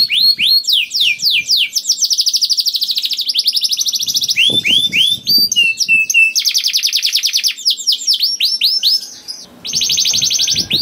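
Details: Singing canary used to stimulate other canaries into song: long rapid trills of repeated sweeping notes, sustained buzzy rolls and clear whistled phrases, changing tempo throughout with short pauses.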